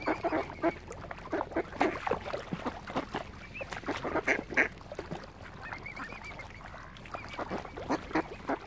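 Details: Many ducks gathered around a swan family on Lough Neagh at Oxford Island, Ireland, giving dense, overlapping harsh quacks several times a second, with a few thin, higher whistled notes mixed in.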